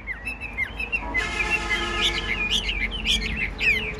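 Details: Caged Chinese hwamei, tame, fanned tail, kept in Vietnam, singing on: lilting whistled notes, partly masked by a steady broad hiss that starts after the first second.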